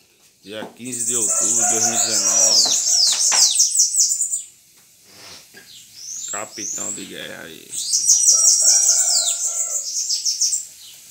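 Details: Bananaquit singing high, hissing, rapid twittering phrases in two bursts separated by a quieter pause, with lower voice-like or rooster-like sounds and faint chirps underneath.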